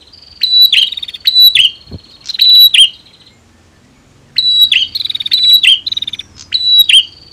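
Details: Prinia, female versus male, calling to rouse a bird that has stopped singing: three clusters of piercing falling chirps, a silent gap of about a second, then another similar cluster with a faint thud.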